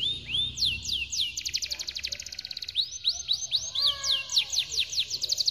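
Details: Long-roll canary song used as a training track for canaries: a few rising whistles lead into a fast, dense rattling trill, followed by a series of swooping arched whistles with softer lower notes beneath.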